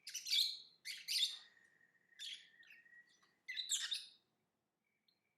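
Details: Lovebird chirps: harsh, buzzy high bursts, one trailing into a long thin steady whistle, followed by a final raspy burst before quiet.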